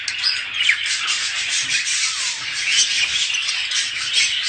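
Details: Group of budgerigars in mating chatter meant to stimulate breeding, a harsh, scratchy continuous warble of squeaks and trills.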